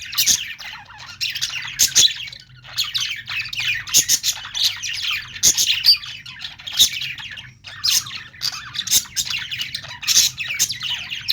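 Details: Steady parakeet chatter from budgies: repeated bursts of high, buzzy chirps and clicks roughly every second, interspersed with sharper squawks, running on without a real break.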